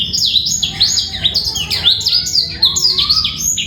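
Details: A male black-throated canary sings a fast, unbroken run of high chirps, trills and quick rising and falling whistles with no pause and no other sounds, used as a male voice to bring females into breeding condition.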